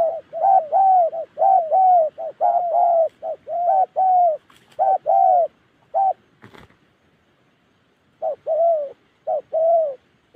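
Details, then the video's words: Spotted dove of the type called Đồng Ngực Chẻ, from Gia Lai in Vietnam's Central Highlands, cooing in short-then-long paired notes about once a second. A pause falls midway, then the pairs return with a faint click. "Đồng Ngực Chẻ | clip 250. cu gáy"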